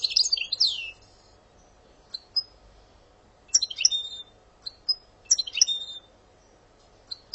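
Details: European goldfinch from Algeria in song: scattered bursts of sharp high twitters and sweeping notes separated by short pauses, with single clipped chirps between phrases.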